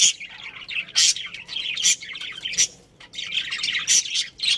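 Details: A breeding pair of budgerigars with their family in a colony: loud shrill chirps about once a second over a steady scratchy warbling chatter.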